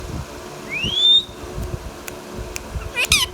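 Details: Pet Indian ringneck parrot (rose-ringed parakeet, local name mithu tota) making a clear rising whistled sweep, then a short harsh, meow-like cry near the end, with low room noise and faint knocks behind.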